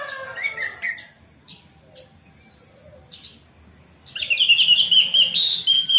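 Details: Orange-headed thrush song used as morning therapy to coax a caged bird into singing: loud warbled phrases of rich whistles and trills at the start and again after four seconds, with quieter scattered notes between.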